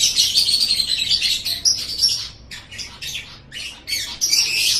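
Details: Pet-bird tutor recording of a lovebird singing: a fast stream of piercing, high twittering notes that breaks into separate scratchy chirps midway before the dense chatter returns.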